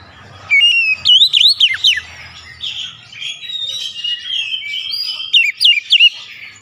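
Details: Oriental magpie-robin singing, used as a lure to get a reluctant bird to sing: rich, varied whistled phrases with quick rising and falling sweeps and sharp notes, a quieter warbling passage, then more loud slurred whistles.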